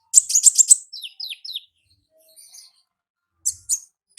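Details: Ngalas song of a wild olive-backed sunbird: a quick cluster of piercing chirps, then three slurred downward whistles, quiet, and a few more sharp chirps.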